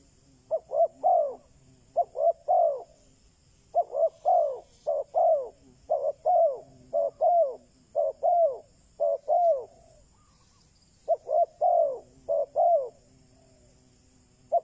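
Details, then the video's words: Spotted dove decoy calling persistently to bring in wild doves: many quick phrases of clipped notes and falling coos, repeated almost without pause, one brief gap midway, with a faint low drone underneath. "Chim cu mồi chuẩn thúc bổi, kích bổi nhanh nổi/ Burung Terkukur"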